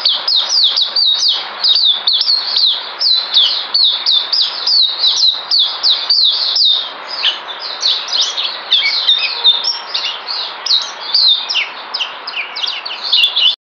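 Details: A bird sings a lively, unbroken run of high chirps, twittering trills and upslurred whistles, dense and energetic throughout, then growing more varied and warbled toward the end; recorded 9 December 2018.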